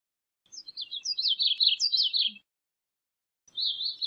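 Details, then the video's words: Gray-cheeked thrush song, a high, breezy phrase of quick slurred notes dropping in pitch over about two seconds, followed after a short silence by the start of another thin, wavering phrase; no other sounds. "Gray-cheeked Thrush Singing, Sound, Calling, Chirp - Zorzalito Carigrís Cantando"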